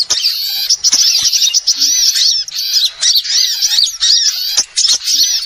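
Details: Lure call of small birds for catching wild birds: a noisy flock-like mix of piercing chirps and fast, arching whistled notes, coming in dense bursts separated by brief quiet gaps.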